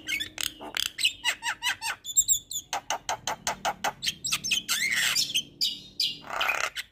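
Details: Javan myna song used as a training recording to prompt lazy caged birds to sing; a loud varied jumble of sharp clicks, whistled notes, harsh squawks and rapid chattering, ending in a rough burst of noise.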